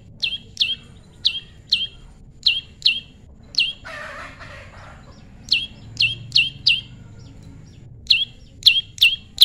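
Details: Tame prinia during natural pairing, giving bright downslurred chips in quick clusters of two to four, broken midway by a brief rustling noise burst before the rapid chipping resumes.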